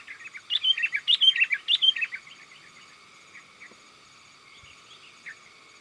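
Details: Sooty-headed bulbul calling to companions, a sound used as a lure for wild bulbuls: three quick clusters of tumbling slurred whistles within two seconds, followed by soft scattered chirps.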